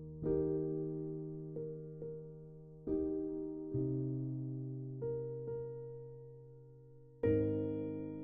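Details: Slow electric piano chords struck every second or two, each ringing and fading, with no animal sound.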